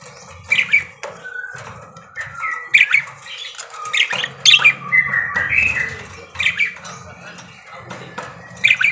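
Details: Parakeet singing busily, a run of scratchy squawks, short chirps and warbled whistles, some notes sliding up or down, coming in bursts about every second with brief pauses, in a small quiet room with a low hum.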